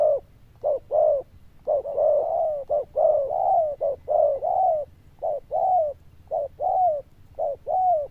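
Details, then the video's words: Cooing zebra dove noted for its loud, bell-like tone, giving a dense run of short and drawn-out rolling coos, some slurring downward, with scarcely a gap. "Đồng Chuông Lớn Tiếng, Nước Gù khá Tốt"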